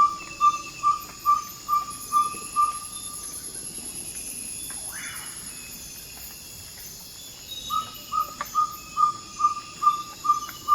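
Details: Ferruginous pygmy owl giving its territorial advertising call just before dawn in Ecuadorian Amazon rainforest: a run of mellow, evenly spaced 'toop' whistles, about two per second, breaking off for a few seconds, then resuming, over a steady high insect hum.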